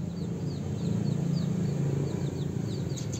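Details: Several house sparrows during mating time chirp repeatedly, brief high downslurred notes spaced unevenly, with a constant deep engine-like drone underneath.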